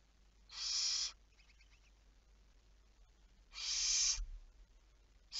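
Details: Barn owl at night on 11 May 2019 at 23:34: two long, hoarse, hissing screeches about three seconds apart, with the start of a third at the end.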